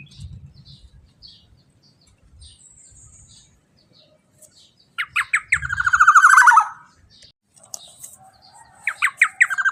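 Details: Loud 'teler' song of a male black-naped oriole used as a lure to get other birds singing: brief rolling trill of falling notes in the middle, with scattered other chirps, low rumble at the start and more notes near the end.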